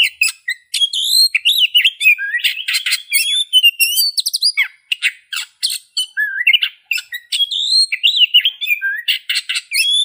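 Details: Continuous Oriental magpie-robin song mixing sweet whistled slurs, trills and scratchy broadband notes in quick succession, phrases changing constantly with short gaps.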